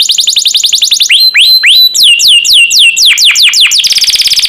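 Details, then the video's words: Canary song as master material for cage birds: fast trill, then slower rising and falling swooping whistles, then a rapid buzzy roll at the end. "MASTERAN KENARI JUARA"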